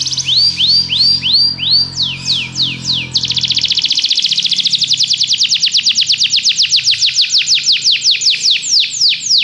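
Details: Belgian canary song meant to train other canaries to sing: a run of upward-curling whistled notes, then a long, fast, rhythmic trill of sharp high notes; a low hum sounds faintly early on.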